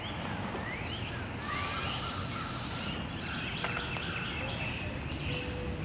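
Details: Owlet of a barred owl pair, two young tended by their mother at Devil's Den Campground on a morning full of forest sound; one loud, steady hissing screech of about 1.5 seconds, then quieter chirps and twitters.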